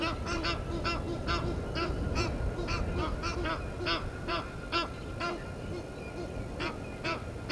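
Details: Egyptian geese at Gowrie dam on Djuma Game Reserve, South Africa, disputing with intruder geese; continuous, fairly regular harsh honking, about two calls per second, several birds overlapping over low background noise.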